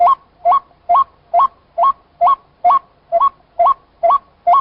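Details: Chim cuốc, the white-breasted waterhen, giving a rapid, even run of eleven two-pitch notes that leap upward, roughly two each second, with nothing else audible.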